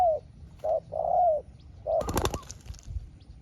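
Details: Spotted dove answering a small-voiced wild rival: a few low mellow coos, short then long, before a sudden sharp rattling clatter cuts through the end.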